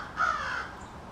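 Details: American crow, one of a small backyard family in extended conversation, giving a single drawn-out hoarse caw that fades gradually.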